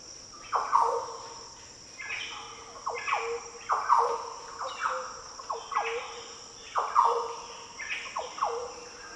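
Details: Green Orioles sing in the Daintree rainforest, Australia. Liquid phrases of sharply falling, fluty notes come roughly every second in a steady rhythm, set against a persistent high insect drone.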